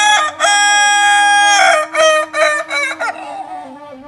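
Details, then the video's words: A "Sigayuang luluah" crow from a Kokok balenggek rooster in Solok, West Sumatra: a long opening note, then a string of short, loud, staccato syllables in quick succession, ending in a softer, tapering tail. "Ayam kukuak balenggek Jenis suara "Sigayuang luluah""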